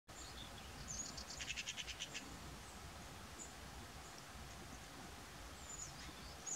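Little Owl giving a quick, harsh series of about eight scratchy notes in under a second, over a low rumble, with a few thin high chirps from small birds.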